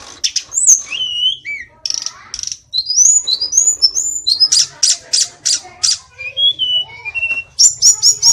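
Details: Hill blue flycatcher (sulingan gunung, or tledekan), an Indonesian songbird, in lively full song. High, varied whistled notes mix with quick chirps and short buzzy bursts. Several rising and falling slurs appear, with a faint low hum beneath.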